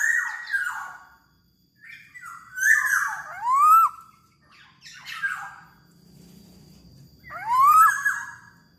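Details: Black-naped oriole, locally kepodang, singing in lively gacor fashion: harsh, rasping notes mixed with clear upswept whistles that rise and bend over, repeated twice, with a faint low hum in the background.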